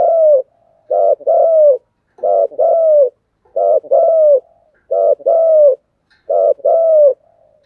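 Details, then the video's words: Continuous spotted dove cooing, the thúc gù style: six regular couplets, each a throaty pulsed note followed by a smooth, slightly descending coo, repeated roughly every 1.3 seconds. "cu gáy thúc gù/ Cu gu lien tuc"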